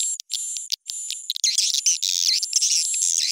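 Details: Edible-nest swiftlet attraction call, edited higher and faster for swiftlet houses: clipped buzzy notes with a steady high whistle, then a continuous rush of scratchy twittering chirps filling the second half.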